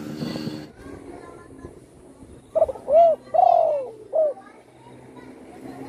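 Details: Spotted dove, once shot and left with a broken wing, now kept at home and singing freely; after a spoken voice and room murmur, one cooing phrase: a short lead note, a rounded coo, a long falling coo and a final clipped coo.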